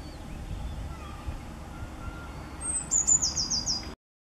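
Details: Eurasian blue tit song from 10 April 2020: after a quiet start with faint distant bird notes, one high thin note leads into a quick ringing trill near the end, over soft background noise.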